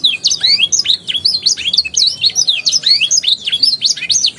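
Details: Lively canary warbling for prompting young canaries to sing: a continuous jumble of quick twisting whistled notes, rising and falling several times a second with no pauses.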